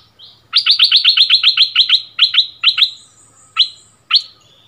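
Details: In a February 2021 song duel between a decoy bulbul and a resident territory holder, a rapid string of about ten sharp downslurred whistles is followed by spaced single notes and a thin high tone.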